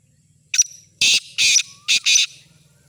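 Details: Caged black francolin offered for sale, giving its full call: one short harsh note, then three loud, rasping, broadband bursts in quick succession, recorded close against a quiet background.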